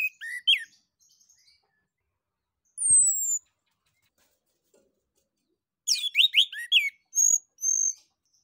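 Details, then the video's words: Orange-headed thrush (anis kembang) giving open ngeplong song used as a singing prompt for other birds. Quick varied whistles open the clip, then a long clean descending whistle, then a dense rush of sweet notes and two drawn-out high tones. "ANIS KEMBANG NGEPLONG UNTUK PANCINGAN"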